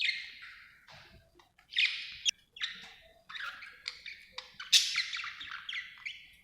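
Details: Happy budgerigar chirping nonstop in a scratchy, buzzy warble of quick notes, with a brighter, louder burst near the end.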